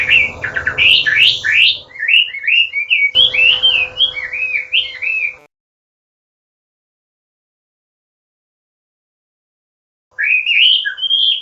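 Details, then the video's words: Chinese hwamei song used as a training recording for songbirds, said to provoke rivals: rich, rapid whistled phrases slurring up and down, a long silent gap before the song resumes, and a faint steady hum beneath. "SUARA MASTERAN BURUNG HWAMEI ATAU WAMBI GACOR"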